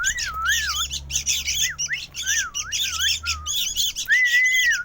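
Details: Sooty-headed bulbul chick calling noisily: scratchy, buzzy bursts repeated in quick succession, with a looping whistled tone running beneath and a longer steady whistle near the end.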